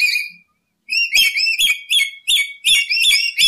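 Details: Lory calling for use as a lure: after a pause, a rapid series of piercing whistled notes, some with sharp clicky onsets, repeated about three times a second.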